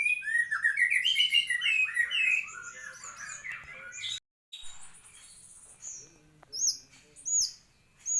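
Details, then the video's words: A white-rumped shama gives a rich, rapid warbled phrase of rising and falling whistles, a brief break, then sparse thin high whistles and sharp upslurred notes spaced about a second apart. "Kicau Murai Batu Maskot Para Pecinta Burung Kicau"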